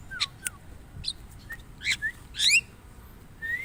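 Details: Brief Javan myna phrase: two quick falling whistles, harsh buzzy chirps, a rising slurred note and a loud rasping burst, ending on a rising whistle.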